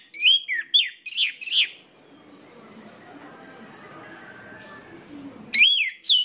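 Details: Lure song of an orange-headed thrush for making other orange-headed thrushes sing: several loud, twisting whistled phrases in quick sequence, a pause filled with faint humming background noise, then the whistling resumes.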